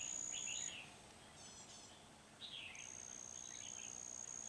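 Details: Red-whiskered bulbul of the Núi Đá type, recorded 16 February 2019 while being trapped with a lure bird. Short warbled phrases rise and fall in bursts. A steady high insect whine starts and stops around them.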